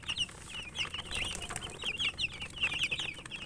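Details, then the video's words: Domestic chicken chicks chirping while eating: many overlapping high, short peeping notes, some rising and falling, repeated rapidly throughout, over a background of pecking and scratching noise. "Murgi chicks Chirping sounds and eating"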